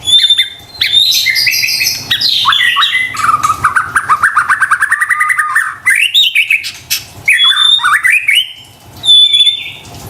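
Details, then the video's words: White-rumped shama singing as a lure for stressed or lazy kept birds: high whistles, then a long rapid rattling trill held steady, followed by more looping whistled phrases and a thin piping note. "PANCINGAN murai batu STRES dan MALAS BUNYI seketika LANGSUNG nyaut dan GACOR dengar suara INI"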